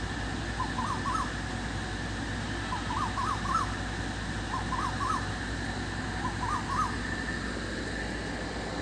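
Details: Cuckoo heard in the dark evening, repeating faint groups of three or four short, rising whistled notes roughly every two seconds against a loud, constant rumbling background.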